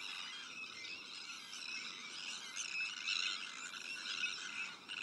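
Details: Sandwich tern breeding colony shared with black-headed gulls, arctic terns and common terns: a dense, unbroken din of harsh, grating, overlapping calls from many birds, swelling slightly around the third and fourth seconds.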